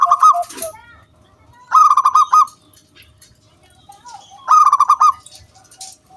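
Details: Local wild zebra dove in vigorous lure song, meant to make other doves sing. Three loud rapid stuttering bursts of pulsed notes stand out, with only faint low coos between them.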